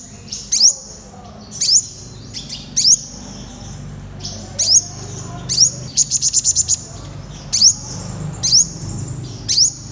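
A purple sunbird gives sharp, very high sweeping notes about once a second, with a quick buzzy trill midway; a faint low hum runs underneath.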